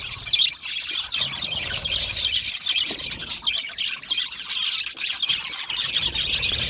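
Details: Australian budgies chattering happily in a colony, with layered squeaky chirps, buzzy warbles and short squawks running continuously at a fairly even level, and faint low rumble beneath.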